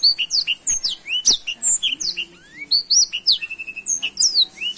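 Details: A black-throated canary sings energetically: a fast, unbroken run of high sweet chirps, slurred whistles and short trills over a faint low hum. The recording is used as a tutor song for young canaries.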